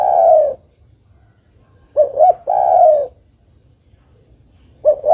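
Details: Steady low coo, then a paired rising hoot and a long drawn coo, with a further double hoot at the close: a female island collared dove calling for a male.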